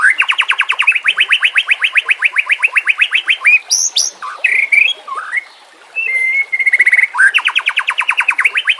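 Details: White-rumped shama singing on a training track for lazy captive birds: long, fast trills of evenly repeated upswept notes open and close the passage, with squeaky slurred notes and a flat whistle between.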